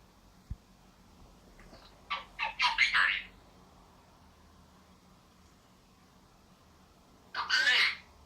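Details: A roughly two-year-old male vosmaeri Eclectus parrot, a pet learning to talk, chatters indoors. It gives a quick run of raspy, speech-like syllables, pauses several seconds, then one more harsh, squawky phrase over a faint hum.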